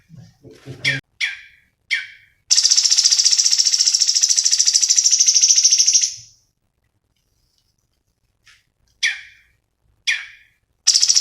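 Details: Cucak cungkok in lively gacor form, recorded as master song for training cage birds, with isian of murai batu and cucak ijo: short harsh descending notes spaced about a second apart, then a high rapid pulsed buzzy trill of four seconds, then more harsh notes.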